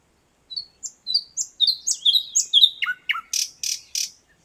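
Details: Nightingale singing in Moscow's 50th Anniversary of October park: a run of high thin rising whistles that quicken and tumble lower, ending in three harsh broadband chirps; no other sounds.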